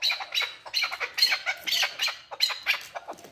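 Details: Male chukar partridge calling in quick harsh, rasping bursts, closely spaced and uneven, with loud scratchy notes throughout.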